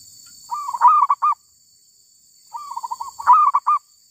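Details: Cooing calls of a wild female zebra dove sought by bird trappers: two phrases, each opening with a soft purring run that leads into loud stuttered notes, with a thin electronic tone behind.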